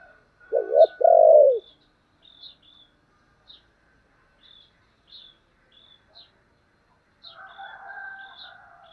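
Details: Spotted dove in the 'thổ' voice style, urging and calling. One low phrase near the start: a quick doubled note, then a longer sustained coo. Scattered high chirps follow, and a softer, hoarse call rises near the end.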